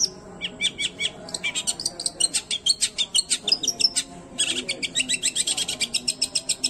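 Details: Long-tailed shrike singing a rapid unedited song used to stir up other shrikes: steady fast rattle of sharp chirps, mixed with brief whistles, running almost without a break.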